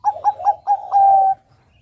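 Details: Bangkok-type zebra dove in lively song, used to prompt young untrained doves to sing: four quick, bubbly mid-pitched coos run straight into a long, level cooing note, then quiet.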